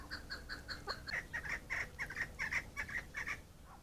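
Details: Chukar partridge calling in a rapid run of short clucking notes, about two or three per second. Thin early notes give way to louder, harsher chuk sounds, over light background hiss.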